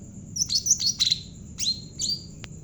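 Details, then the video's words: Energetic song of a Javan cucak ranting bulbul, kept to lure and train other birds: a short run of shrill chirps and falling whistles, followed by two separate downslurred notes and a sharp click. "burung cucak ranting jawa gacor cocok buat pancingan burung bahan"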